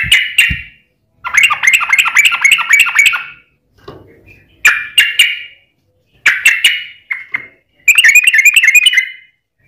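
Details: Yellow-vented bulbul lure song for making other bulbuls sing back: several bursts of chattering, bubbly phrases separated by short silences, with scattered single sharp notes.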